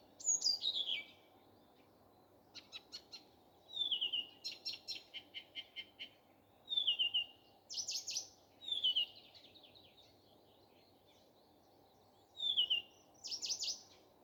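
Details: Common nightingale singing in the morning: varied phrases of falling whistles, sharp rapid note series and buzzy high bursts, separated by short pauses, over a steady low background hum.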